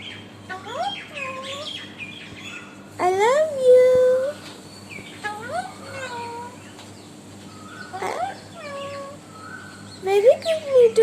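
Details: Young captive Alexandrine parakeet, six months old, imitating human words like "I love you": several short nasal, wavering phrases spaced a few seconds apart, ending in a quicker burst of chattering notes, low steady hum behind.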